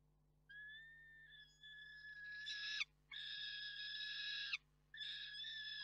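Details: Young female peregrine falcon at Reda, Poland, arriving to roost and screaming at an adult, 3 June 2023: drawn-out harsh harmonic screams, the first wavering and rising, then long even screeches separated by short pauses.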